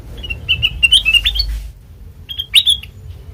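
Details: Black-crested bulbul singing for use as a trapping lure: a cluster of clear, slurred whistles, a second of quiet, then two or three sharp rising notes over a low rumbling background.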